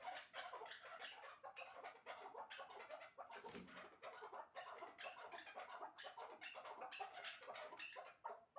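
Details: Chukar partridges, a caged two-year-old bird once caught in the wild and a one-year-old hybrid, described as top birds for calling: a dense, continuous run of harsh, overlapping clucking notes with little pause throughout.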